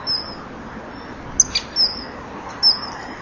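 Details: Male and female common kingfisher at a nest-wall camera, evening of 18 April 2013, calling before mating; a handful of thin, high, drawn whistles with one sharper note, separated by quiet gaps over low hiss.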